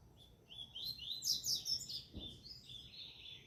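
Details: A double-collared seedeater in a singing tournament gives a fast, continuous run of high, sharp chirps and buzzy trills, loud and tightly packed, with one brief low knock partway through and soft background rumble.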